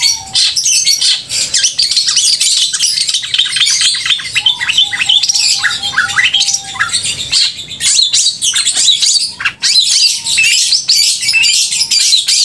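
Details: Loud, clear, continuously chattering Long-tailed shrike song meant to stir emotion and breeding urge in other shrikes; busy run of sharp high chips and rasps, with a series of short level whistles in the middle and again later.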